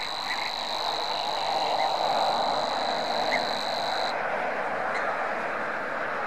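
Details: High, steady reeling trill from a Savi's warbler that stops abruptly about two-thirds through, with faint chirps from other birds and a loud, constant background rush.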